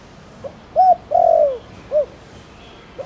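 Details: Spotted dove call meant to set other doves calling: soft lead note, arched coo, long falling coo and a short clipped coo, with the start of the next phrase at the end.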